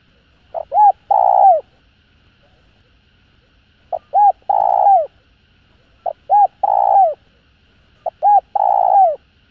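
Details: Steady spotted dove calling to stir other doves: four phrases about every two seconds, each a faint pip, a rounded coo and a long rough croo sliding down in pitch, in quiet surroundings.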